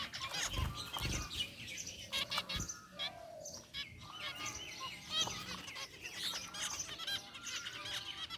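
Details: Aviary flock of zebra finches, gray and white varieties, chirping: scattered short nasal beeps and tweets, softer and sparser, with occasional low knocks from the cage.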